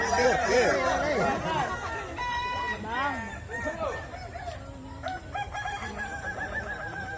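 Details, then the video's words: Crowing contest of Kukuak Balenggek roosters in West Sumatra: loud overlapping crows with quick up-and-down warbles early on, then fainter drawn-out notes among people talking and some background music. "Lomba Kontes Ayam Kukuak Balenggek, Suaranya Bikin Kagum"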